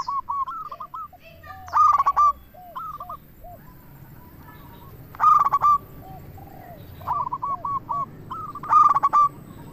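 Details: Local zebra dove song played to lure other doves: loud bursts of rapid, rolling coos about every three and a half seconds, with fainter doves cooing in reply between them.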